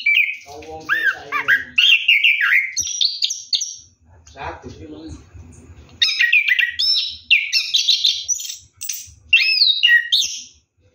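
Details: Orange-headed thrush singing ngeroll while taking a night bath, pouring out loud, varied phrases of whistles, slurs and rattling trills in long bursts, with short gaps and soft low noises in between.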